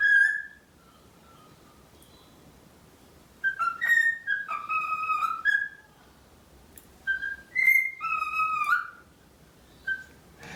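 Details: Male pet cockatiel singing in front of a bathroom mirror: bursts of warbled whistles and chirps that rise and fall, with short repeated notes, then pauses between phrases; quiet room background.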